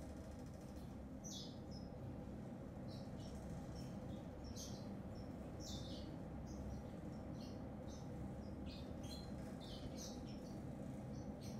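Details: Grey singing finch song: scattered high, thin twittering notes and short trills spread across the clip over a steady low hum.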